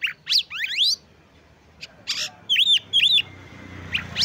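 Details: Singing Oriental magpie-robin, used to provoke other males and raise their breeding drive: quick rising sweeps, a few sharp chips, then two ringing arched whistles and a final upward note.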